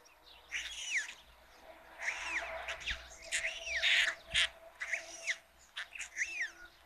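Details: White stork nest on a chimney in Ságvár, Hungary, filmed by a live camera at the first feeding of 22 May 2022; repeated downward-curving, grating calls about once a second over faint steady background noise.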